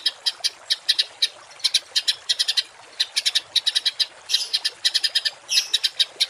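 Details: Songbird song in the rough 'tembakan kasar' style, meant for tutoring cage birds. Sharp, clipped high chips come in uneven clusters of two to five, with a couple of brief buzzy flourishes toward the end.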